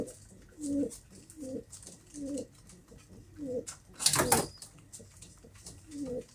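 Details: Pigeon repeating short, low, hollow coo phrases about every three-quarters of a second, interrupted once by a loud flapping burst.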